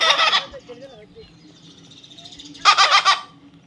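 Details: Baby parrot kept by people, giving two harsh, broadband squawks, one at the start and another near the end, separated by a quiet stretch with faint murmuring in the background.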